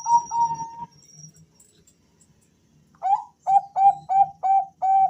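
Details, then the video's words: Male Bangkok-type zebra doves calling to each other as a lure: a short run of whistled coos, a quiet gap, then six crisp rising notes repeated at an even pace, with a faint high hum. "suara panggilan dua perkutut Jantan saling Bersahutan"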